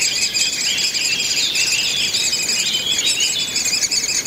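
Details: Great spotted woodpecker nestlings in the nest while a breeding pair feeds them, Mønsted Kalkgruber, 30 May 2020; a dense, continuous high-pitched chattering of many rapid squeaky notes runs without pause throughout.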